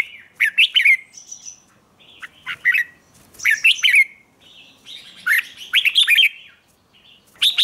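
A red-whiskered bulbul sings short, bright, rolling phrases about once a second, with thin squeaky notes between them; no other sounds.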